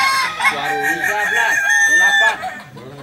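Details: A Balenggek chicken crowing contest, landiak class, in Ampang Kualo, Solok city, on a Sunday: one loud, sustained crow runs about two seconds over softer looping syllables from other roosters.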